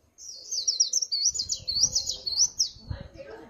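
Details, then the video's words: Swinhoe's white-eye singing in the líu pha chòe style: a rapid, high-pitched, continuous warbling twitter of looping whistled notes lasting about three seconds, over a faint low rumble. "Tiếng Chim Khuyên Líu Pha Chòe"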